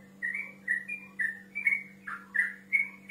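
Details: Whistled song of a male yellow-vented bulbul calling out to a rival, short clear notes, some flat and some dipping, delivered roughly twice a second over a quiet low hum.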